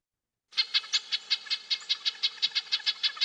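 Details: A red-breasted nuthatch gives an excited call, perhaps bothered by a predator or the recordist: a rapid, agitated series of nasal, tinny notes, about six per second, high-pitched and evenly repeated, with no other sounds.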